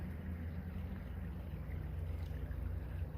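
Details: Steady low rumble of wind buffeting the microphone, with a faint engine-like drone and no animal voices.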